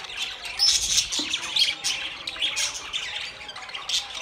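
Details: A flock of budgies gives harsh, scratchy squawks mixed with bright chirps and a few clear whistled notes, all crowded together in a rapid, uneven chatter.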